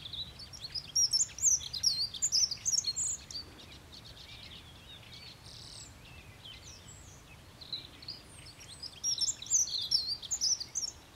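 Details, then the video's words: Dunnock (Prunella modularis) singing a fast, high, jumbled warble in two bursts of about two seconds each, with quieter background noise between them. "Голоса птиц: Лесная завирушка Prunella modularis | Dunnock singing"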